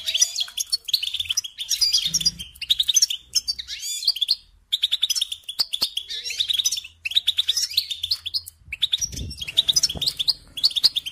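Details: Goldfinch song played to train young songbirds: repeated phrases of fast twittering and trills separated by short pauses across eleven seconds, with occasional low thuds and hum in the background.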